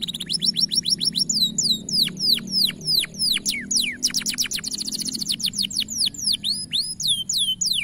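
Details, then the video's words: Bright-coloured canary singing a long, powerful training song: rapid series of high whistled notes sweeping sharply downward, then fast buzzy trills, delivered nearly continuously with a faint low hum in the background. "Masteran Kenari Warna Cerah Suara Power Tinggi Durasi Panjang"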